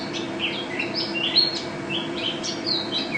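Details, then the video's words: National-champion white-eye in full, energetic song: quick high twitters and short slurred whistles tumble in close succession above a constant low droning hum. "Pleci Juara 1 Nasional pleci Gacor juara nasional teler gacor ropel"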